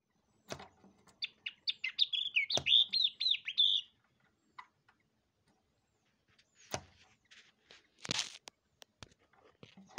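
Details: A pair of yellow-eyed babblers at a window, playing with their own reflections: a quick run of bright, high chirping notes repeated about four per second, mixed with sharp tapping clicks and brief rustles.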